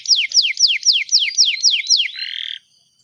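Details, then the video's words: Canary song used to train young canaries to learn sounds: a series of about eight clear whistled notes sweeping steeply downward, repeated roughly four per second, ending in a short buzzy trill. "Canary Beautiful Singing"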